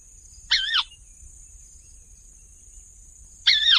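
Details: A crake of densely vegetated wetlands, whose call is a raspy 'kawa' often repeated, gives two harsh, raspy two-part 'kawa' calls about three seconds apart, over a steady high hiss.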